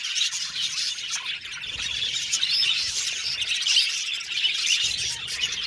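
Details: Happy budgies in an aviary colony, a thick mix of high chirps, warbles and occasional rough squawks overlapping without break.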